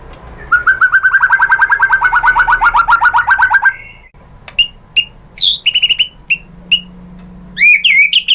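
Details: White-rumped shama, said to be a female calling the male, used as a lure to provoke a reply: a long rapid trill slowly descending for over three seconds, then a pause and scattered sharp chirps and upswept whistles.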